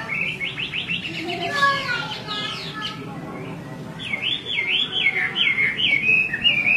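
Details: Female Chinese hwamei calling repeatedly to stir an agitated male: a run of quick buzzy chirps, then a loud rolling series of clear, wavering whistled notes rising and falling, with low background murmur.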